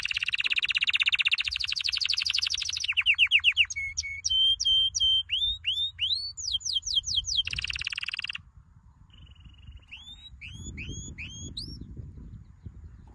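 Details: Canary singing a training song: buzzy rapid trills shift into sweeping slurred whistles and short steady tones. The song breaks off midway and resumes softly with clipped upslurred notes, while faint low rumbling noise fills the background.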